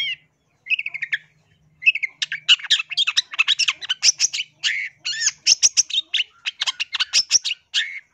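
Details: Long-tailed shrike singing clearly, used as a lure for catching wild birds: a few harsh rasping notes, a short pause, then a fast, dense run of scratchy chatter and sharp clicks with mimic-like whistles, continuous to the end.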